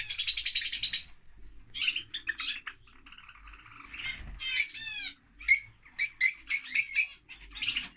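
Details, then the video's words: A harsh, buzzy lovebird screech opens, followed by softer scratchy notes, a fast trilled squeal, then a series of short, evenly spaced piercing chirps. "Love Bird singing (Lovebird)"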